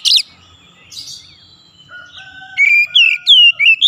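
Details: Magpie-robin song for coaxing a silent bird to sing: a brief sharp note at the start, faint whistles in the middle, then a run of loud swooping whistled notes at the end.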